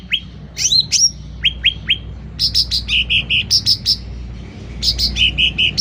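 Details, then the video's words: Sooty-headed bulbul in active, loud song: bright whistled notes sliding down in pitch, then quick bursts of paired high chirps repeated in a steady rhythm, with a faint low hum behind. "Suara Cucak Ranting Gacor Volume Keras"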